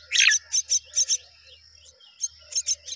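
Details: Myna pair rearing their babies together: short harsh broadband chirps in quick pairs and triplets, a pause near the middle, then more clustered chirps over a steady high whining tone and a faint low hum.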